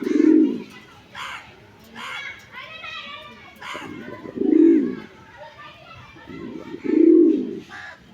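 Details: Pigeon cooing at a pigeon house, with three deep, throaty, rounded coos spaced a few seconds apart. Children's voices and chatter fill the gaps between coos.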